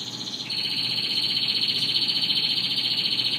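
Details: Spanish Timbrado canary, a yellow bird, in song: a brief higher trill drops into a loud, sustained, rapidly pulsing metallic roll that keeps an even throbbing rhythm to the end.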